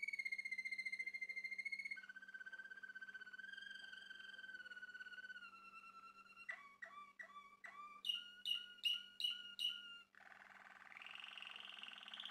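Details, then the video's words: Male Malinois Waterslager canary from a Turkish breeder, caged indoors, sings a varied song: long sustained whistles stepping down in pitch, then rapid bubbling water-like notes, clipped repeated tones and a rising slurred tour. "Malinua Kanarya Sesi Ve Ötüşü | Malinois Waterslager Canary Singing"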